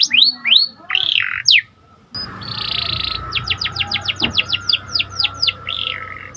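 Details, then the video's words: Singing panda canary with symmetrical markings, used as a training lure to excite canaries. A few whistled sweeps, a short gap, then a buzzy roll and a rhythmic run of downward notes over a steady background hiss and hum. "Meningkatkan Emosi Dengan Kicauan Burung Kenari Panda Gacor"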